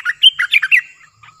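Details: Streak-eared bulbul in a cage, Thailand. A short, fast string of five liquid, warbling notes is followed by a faint trailing note.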